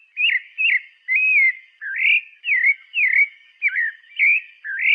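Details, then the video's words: Pale-breasted thrush singing: a steady series of clear, mid-pitched whistled notes, each a short slurred phrase that dips or rises and falls, about two per second, on a silent background. "Sabiá branca"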